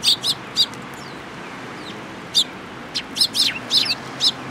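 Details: Eurasian tree sparrows at a Tenmangu shrine in Japan, recorded 14 April 2022. Loud, clear chirps arrive in short groups of two or three with a lull in between, then a lively run of overlapping tweets near the end.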